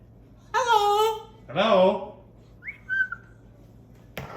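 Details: Pet cockatoo indoors mimicking: two loud, harmonic, voice-like calls, the first level and the second rising, then a short high whistled note, with quiet room noise.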